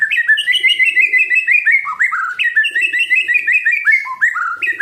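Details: White-rumped shama, a kept bird, singing loud, clear whistled phrases that rise and drop in quick series, with rapid slurred notes and occasional lower dips, almost without pause.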